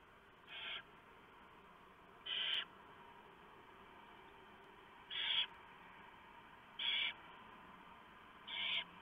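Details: At a barn owl nest in the early hours of 3 November 2015, the male delivers one huge mouse and the female tears it for the owlets. Short harsh hisses come at uneven intervals of 1.5 to 3 seconds over a soft hum.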